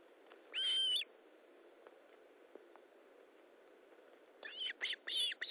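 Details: Osprey at the nest at feeding time, 19 July 2012, 9:43: one loud sustained whistle, several seconds of quiet hiss, then a rapid string of shorter piping whistles.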